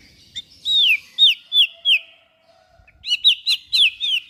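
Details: Song of a white-rumped shama, played to stimulate other shamas to sing: a series of bright, downslurred whistles in two runs separated by a short gap.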